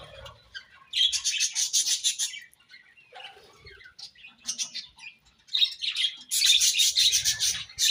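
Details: Several budgerigars chirping non-stop: bursts of dense, high, scratchy chatter and warbling that rise and fall. Quieter gaps around the middle are followed by a loud, sustained stretch of overlapping chirps toward the end.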